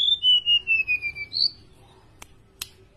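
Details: Tame golden-bellied gerygone, singing very actively: a high thin whistled phrase sliding steadily downward in a string of slurred notes for about a second and a half, ending in a brief upward note, followed by two sharp clicks.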